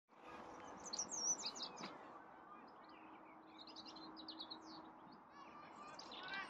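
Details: European robin, also called robin redbreast, singing: faint, thin high warbled phrases with quick twittering notes, loudest near the start, over a steady background hum and low noise.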